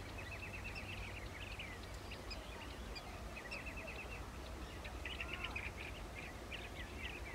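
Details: Blue-tailed bee-eaters during nesting give bursts of quick, rippling, trilled notes in short rattling groups, pausing briefly between groups, over a low steady rumble.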